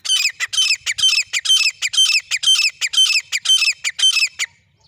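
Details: Grey francolin, male and female birds noted: a loud series of strident, squawking bursts about two per second, each bright and harmonic-rich, continuing for over four seconds before stopping abruptly.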